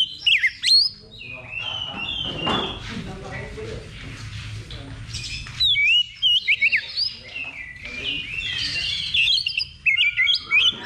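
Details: Oriental magpie-robin in a level 2 competition simulation, practice before a contest: bursts of loud whistled and scratchy phrases between 2 and 8k, sharp rising notes, with a quieter babble of other birds and low background rumble.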